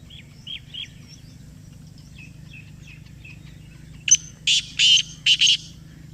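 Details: Black francolin calling back after a call was played to it: faint thin chirps from other birds, then at about four seconds a short sharp note followed by four loud, harsh, grating notes in quick succession.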